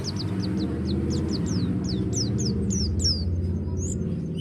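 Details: Pleci dakun white-eye from Malang, Indonesia, singing in ngeroll style: a quick series of high, thin downslurred chirps, speeding up and growing louder, partly masked by strong low-pitched background hum.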